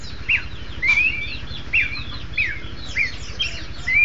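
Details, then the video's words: Horsfield's babbler duet: short clear whistled notes near mid-high pitch, some rising slurs, spaced irregularly about every half second, with faint higher chips between and a low steady hum underneath. "burung kicau duet pelanduk semak"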